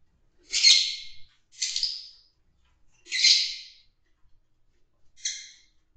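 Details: Fischer's lovebirds mating in a group in an aviary or cage: four harsh, high, rasping squawks at irregular intervals of one to two seconds, the last one shorter and more tonal.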